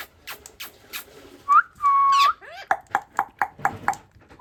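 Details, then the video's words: Talking parrot: a few short clicks, then a clear whistled note and a long steady whistle, a rising sweep, and a run of sharp repeated clicky pops about four per second. "Talking Parrot"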